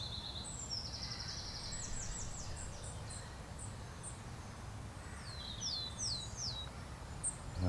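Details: Willow tit calling in spring on its home range, likely a territorial male starting courtship season, moving between birch and willow trees, thin high notes, short runs, then three slurred falling whistles, over steady low wind rumble; UK.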